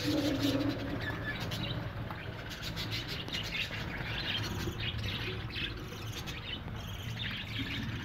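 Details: Budgerigar colony in an aviary hut, many birds chattering together in dense overlapping chirps and warbles, with a steady low hum underneath.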